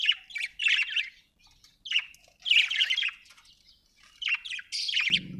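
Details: Budgerigar chirping in a quick burst of bright, scratchy warbles and squawky notes, in clusters separated by brief pauses, with a low thump at the end.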